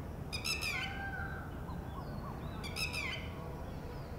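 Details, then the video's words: Warning calls of a red-wattled lapwing female while her chick hatches at a ground nest; two brief bursts of three or four piercing, falling notes about two seconds apart, over soft background hiss and rumble. "Red-wattled Lapwing egg hatches - female makes alarm calls"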